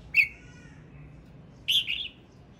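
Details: Male red-whiskered bulbul singing: a short bright note, then after a pause a longer, loud, warbled phrase of rolling whistles around mid-high pitch, against a quiet low background hum.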